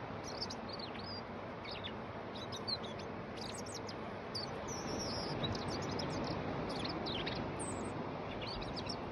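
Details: A European robin on the Gower coastal path sings thin, high, wavering phrases of sliding notes, rising and falling in quick bursts, over a steady roar of wind and surf.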